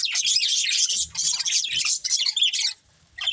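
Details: Budgies from a breeding pair give rapid buzzy chirping in dense bursts that break off near the end into a short silence, then resume briefly.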